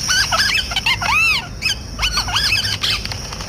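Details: Parrot voice with loud arched, whistled squawks and squeaky rising-falling notes in bursts, some strongly harmonic, with a short pause midway and steady low background hum.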